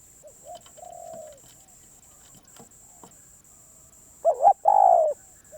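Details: Spotted dove, a very persistent wild-caught bird, giving faint low coos before a loud phrase near the end: a two-pulsed coo, then a drawn-out falling coo, with a quiet note after.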